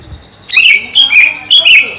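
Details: Greater green leafbird kept in a cage over a pond, delivering three loud, slurred notes dropping in pitch, evenly spaced about half a second apart.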